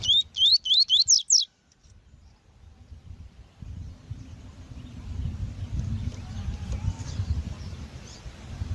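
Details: Double-collared seedeater (coleiro tui-tui) training song with a female: opens with a rapid string of seven ringing slurred whistles, then silence giving way to steady low rumble and scattered faint chirps.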